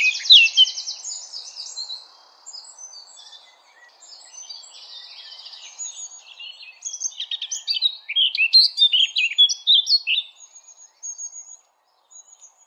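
A Eurasian blackcap sings a rich, high warble of quick varied phrases, rising into clearer fluty notes, with a faint low hum underneath.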